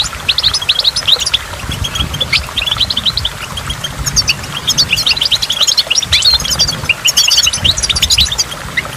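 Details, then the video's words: High twittering goldfinch song near a waterfall: a brisk chatter of short notes that thickens into dense runs during the second half, carried over a steady background of rushing, splashing water. "in the waterfall stimulates goldfinch and water drops"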